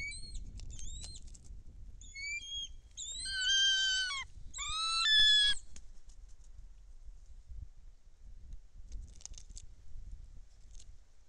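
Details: Bald eagle at a nest-cam nest in Kisatchie National Forest, 10.12.2023; an unfamiliar female flies into the nest with a fish while another eagle is in the air. High, thin chirps, then two louder, drawn-out squealing calls over low wind rumble.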